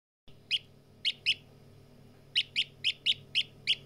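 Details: Partridge chick calling: eight short, high, clear peeps, some single and some in quick pairs, spaced irregularly over about four seconds above a faint low hum.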